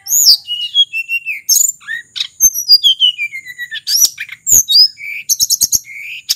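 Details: Sulingan, a local bird from Mount Merapi, singing a long varied song used as a lure for tledekan flycatchers: rapid high whistled notes, sliding downward phrases and sharp chirps, with loud bursts near the end.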